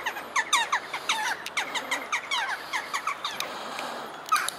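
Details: A baby jackdaw pestering tourists at Dartmouth, Devon gives rapid, squeaky, downslurred begging notes, several each second, with thin overlapping chatter in the background.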